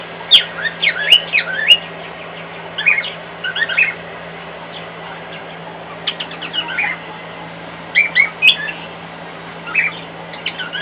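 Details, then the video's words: Indoor pet cockatiel, louder than usual, singing toward a hairdryer in a nearby room. Clusters of quick, piping whistles repeat every couple of seconds against a continuous low hum. "Fred singing to a hairdryer in the next room"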